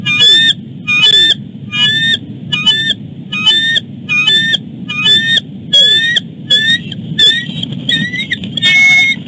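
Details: Male bald eagle chasing his mate on and off the nest before her dinner; a steady series of shrill, chittering, high-pitched calls, roughly one burst per second, with a low background rumble throughout.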